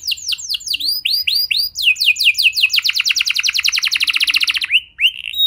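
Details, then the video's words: Canary singing to prompt other canaries into song: a series of upswept whistled notes, then sweeping descending notes, running into a fast loud rolling trill, ending on rising slurred whistles. "Pancingan Burung Kenari Biar Gacor Lagi!"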